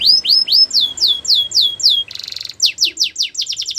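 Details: Canary song used for training: strings of repeated rising whistled notes, then a downslurred series, a brief buzzy roll and a fast run of short chips, loud and clear.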